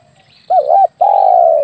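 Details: Spotted dove lure call for hunting: a wavering doubled coo followed by a long even purring coo, loud and close, with a faint background hiss.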